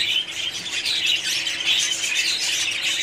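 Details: Budgerigars chattering as a colony, a brief stretch of dense, overlapping chirps and raspy warbles that stays loud and unbroken from start to finish.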